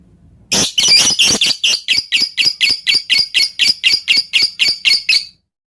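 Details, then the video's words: Lovebird song used to provoke other lovebirds into singing: a harsh opening squawk followed by a steady run of loud, raspy, evenly repeated notes, about four per second, lasting roughly five seconds. "Pancingan Lovebird Full Ngetik Jeda Rapat Untuk Memancing Burung Agar Cepat Panas"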